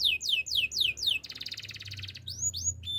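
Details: Canary song meant for training other canaries, with swooping downward whistles repeated in a row, a dense rapid rattling trill, then upward-sweeping notes and a thin whistle.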